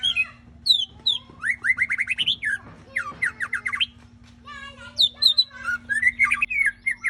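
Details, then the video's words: White-rumped shama (murai batu) singing vigorously: rapid series of sweet whistled and chattering phrases, runs of rising notes repeated in quick bursts with short pauses, over a steady low electrical hum. "Jos tenan murai batunya bosque"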